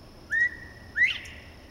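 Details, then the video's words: Near Rebecca, Georgia, on May 22, 2014, a Northern Bobwhite calls its clear whistled bob-white: a short upslurred note, then a louder, sharply rising whistle a moment later, over a quiet background. "Northern Bobwhite calling"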